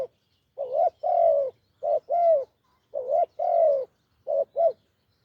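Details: Deep-voiced wild spotted dove giving repeated coo phrases: a brief soft note, then a drawn-out hollow coo, three times, ending with two quick short notes, in a quiet setting.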